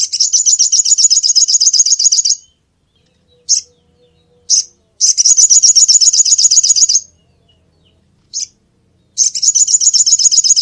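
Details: Sunbird calls used to lure birds: long bursts of fast, high, buzzy trilled notes, each two to three seconds, separated by short pauses with single sharp chips, repeated over ten seconds.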